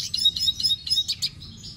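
A red siskin sings a fast, high twittering run of thin, sweet notes, several each second, with a few buzzier trills mixed in. A faint low hum lies underneath.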